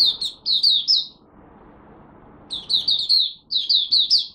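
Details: Malaysian oriental white-eye (mata puteh), a kept songbird, during its first warm-up session of the morning: bursts of four or five sweet, high, slurred notes strung closely together, with a pause of more than a second between bursts.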